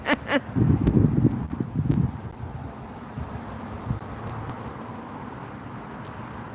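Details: Wind buffets the microphone and leaves rustle on an evening patio, with a few sharp knocks early on and a low rumble that settles into a steady outdoor hush.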